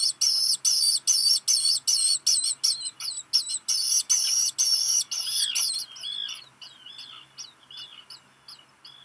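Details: Begging Black guillemot nestling on Seal Island, Maine, as a parent brings rock gunnel; steady strong pulses of high whistling about twice a second for six seconds, then softer, scattered curling peeps.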